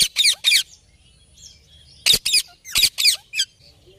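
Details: Ringneck parrot calling with loud, shrill, raspy squawks: a pair at the start, then a quicker run of four or five after a quieter gap with soft chirps.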